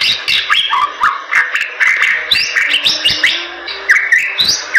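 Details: Bali myna singing a mix of clear whistles, wavering mid-pitched phrases and short harsh notes, with irregular ticking sounds between them.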